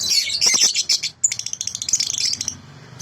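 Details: Sooty-headed bulbul in clear, natural voice, recorded for training other birds. A dense, shrill, high chatter gives way to a fast run of short ticking notes, then fades near the end.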